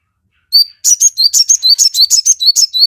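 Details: Crested jay in vigorous song, a lure to make other birds call back: after one whistled note, a steady run of sharp, high chirps and clear short whistles, roughly five per second.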